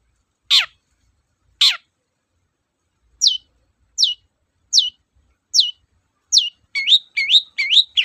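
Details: Long-tailed shrike singing loudly as lure material: two harsh descending notes, then a run of thin whistles that rise steeply, quickening at the end into rapid chirping clusters.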